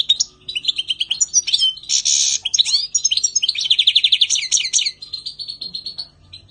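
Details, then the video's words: European goldfinch singing in spring: a fast, dense, continuous twittering of tinkling, buzzy and liquid notes, with a harsher rasping burst near the middle, then a rapid trilled run before fading out. "Chant chardonneret 2020 spring Carduelis"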